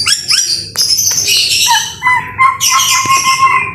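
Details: Energetic white-rumped shama song in the rain, meant for tutoring other birds: dense bursts of bright, chattering high notes alternating with lower, steady whistled tones.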